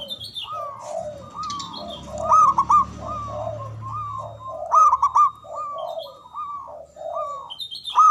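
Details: Javanese local zebra dove, strong and long-breathed, singing as a lure for mute doves. Several overlapping birds give clipped, bubbling coo phrases in sequence, with a low steady hum underneath and scattered high chirps.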